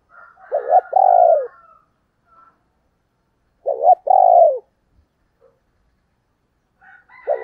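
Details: Female spotted dove in the 'thổ đồng' style, used as a lure for wild males, gives two-part low coos, a brief stutter then a longer falling note, repeated about every three seconds.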